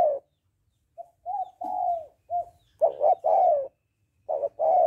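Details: Female spotted dove calling to excite a male, cooing: soft short coos and drawn-out falling notes early on, then loud bursts of a quick double coo followed by a long, sliding, descending croo, repeated twice.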